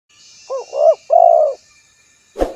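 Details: Spotted dove giving a low cooing phrase: a short stuttered note, a rising-falling coo, then a long purring coo; a sharp click at the end.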